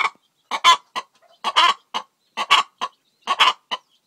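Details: Egg-laying Faverolles cross hen calling in a grating rhythm: groups of two or three rough clucks, with the middle note loudest and drawn out, repeating roughly every second.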